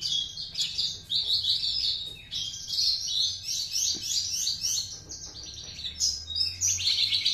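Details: Speckled juvenile Horsfield's bush lark from Java, two months old, already performing master song material taught by another bush lark; continuous quick high-pitched twittering with repeated short buzzy notes and chirps, several per second.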